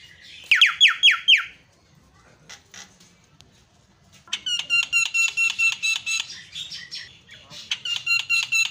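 A black-winged starling gives loud, harsh, rapidly repeated squawking notes in two bursts, with a brief run of clear descending whistles at the start.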